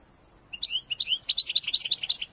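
A European goldfinch sings a quick, tinkling twitter of bright, high notes, rising into a dense run of chirps over about two seconds against a quiet background.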